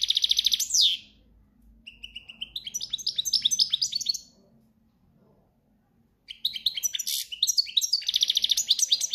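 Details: European goldfinch in breeding season, campero song: two long bouts of quick twittering and buzzy trills with a silent gap between them, high-pitched over faint low background hum.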